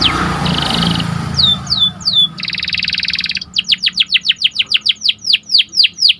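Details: Panda canary song meant to heighten excitement: a buzzy roll, several descending slurs, a dense rattling trill, then a long, evenly paced series of sharp falling notes.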